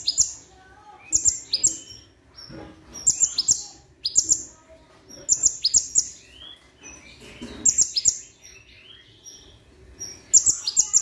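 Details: Plain-throated sunbird with imitations of other birds woven in, such as cigun, rambatan and tengkek udang: shrill, high chirping phrases delivered in bursts roughly every second or two, with short quieter gaps and faint background noise.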